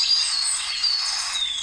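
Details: Orange-bellied Euphonia from Río Blanco reserve, Caldas, Colombia: a thin, high whistled note sliding gently downward, followed by short high whistles, over a faint steady hiss.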